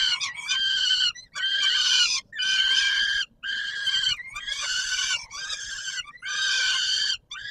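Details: Peregrine falcon at the Palace of Culture and Science in Warsaw, Poland, 17 July 2022, at feeding time: harsh, rasping wailed calls in long drawn-out bursts, about one a second, separated by short silent gaps.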